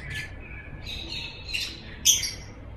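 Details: Lovebird ngekek: soft, slurred, buzzy chatter wavers at mid-high pitch, ending in one sudden loud, shrill squawk. Faint low background noise sits underneath.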